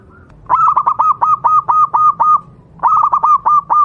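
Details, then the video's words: Local wild Javanese zebra dove singing, used as a tutor for caged doves: a fast, even string of about ten clipped, ringing coo notes, a short break, then another burst of six, loud and clear over a low background hum. "burung Perkutut lokal alam, suara untuk masteran perkutut anda"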